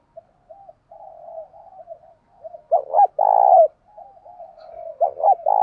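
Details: Spotted dove in the thổ sấm voice, its call used to stir decoy birds. Gentle, low introductory coos build into a loud double note and a long rolling coo, then another phrase begins.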